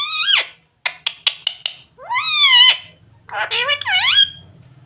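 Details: Parrot speaking in a high, nasal, wavering voice: a drawn opening syllable, a quick series of clicks, then two longer swooping word-like phrases, indoors with faint background hum.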